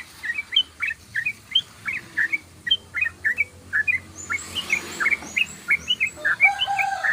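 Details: Actively singing yellow-vented bulbul giving long ropelan song: steady string of short chirpy notes, roughly three per second, with thin higher whistled notes joining in the second half over a faint low hum.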